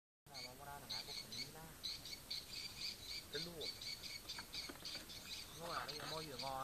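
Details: Swiftlet sound test at Marudi: quick runs of sharp, high twittering chirps, several each second, over a man talking.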